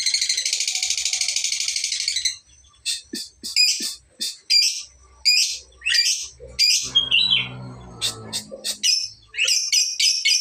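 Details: Young lovebird practising long ngekek trills; opens with a sustained buzzy, pulsing high trill of about two seconds, followed by scattered sharp chirps and squeaks, with a low rumble in the middle.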